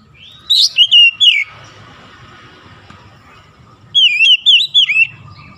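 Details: In morning sunlight, an oriental magpie-robin sings short groups of three or four looping, slurred whistles. A quiet stretch with low background noise separates the two groups.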